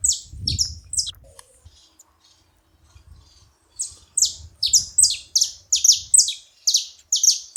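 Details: Saffron finch at a feeding spot, making noise: a few high chirps, a pause with low rumble, then a fast run of sharp, downward-slurred notes repeated about twice a second.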